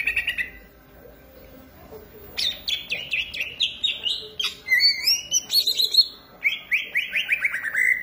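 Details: Cucak ijo, or greater green leafbird, singing: after a brief lull, rapid series of repeated whistled notes step downward in pitch, interspersed with higher sharp chips and clear sliding whistles.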